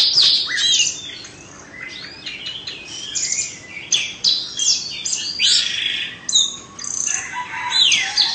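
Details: Indonesian-type Oriental magpie-robin, kept caged and two seasons old, delivering a dense string of high chirps, sharp whistled slurs and scratchy notes in quick bursts, barely pausing.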